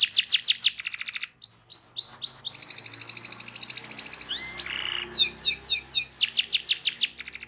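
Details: Local canary singing a full rolling ngerol song used as a training recording: fast trains of rising high whistled notes alternating with buzzy trills and a brief harsh rasp, phrases flowing almost without pause.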